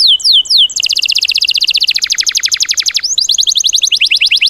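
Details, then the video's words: Tembakan bird song material for training cage birds: a few sweeping downslurred whistles, then long fast trills of sharp high notes, ending with a brighter, harsher rattling series. "MATERI ISIAN BURUNG TEMBAKAN"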